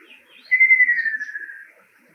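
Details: A male Ruddy kingfisher gives its song, a single descending rolling trill of rapid pulses that starts strong and fades away over about a second, in an otherwise quiet background.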